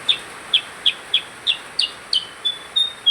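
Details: Percang bird singing: sharp high chirps repeated about three times per second, shifting into thin drawn-out whistles near the end, against a quiet hissy background.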